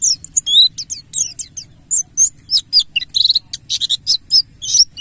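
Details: Lure song of a mountain white-eye, subspecies buxtoni, in the wild 'ngalas' style: energetic bursts of thin, high chirps and rapid trilled notes packed closely together.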